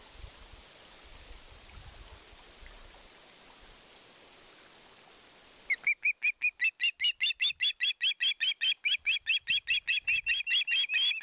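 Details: Osprey at a nest watched by a live camera in Satakunta, Finland, 2022, begging for fish: after six seconds of steady hiss, a fast run of short, sharp, high chirps repeated about two or three times a second.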